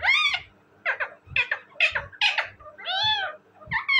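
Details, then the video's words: Talking parrot, said to talk in Urdu and Hindi, producing rapid speech-like harmonic syllables and drawn-out mimicked words in quick succession, with brief pauses between phrases. "my amazing and cute talking parrot,parrot sound"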